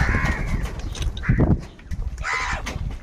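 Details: Crows fighting over food let out three rough, drawn-out caws against loud low-pitched rumbling and knocking.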